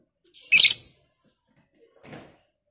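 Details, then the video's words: Lovebird of the Batman fighter type, used to provoke other lovebirds, giving one loud harsh high rasping burst followed by a fainter short chirp about a second and a half later. "Pancingan Lovebird ngekek panjang"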